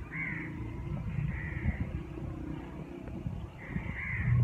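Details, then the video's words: A bird in a neem or moringa tree as winter approaches gives three harsh, drawn-out cawing calls, spaced one to two seconds apart, over a steady low rumble of traffic or wind. "Birds | song"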